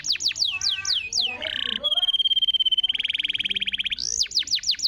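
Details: Singing canary recorded as a lure for a non-singing canary. Repeated falling whistles, a brief buzz, a steady high note, then a rapid pulsing trill and more looping whistles.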